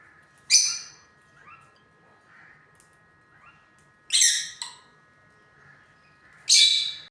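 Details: Shrill, raspy squawks from pet lutino lovebirds come in three loud bursts a few seconds apart, one with a quick second note. Quieter short rising chirps fill the gaps over a faint steady hum.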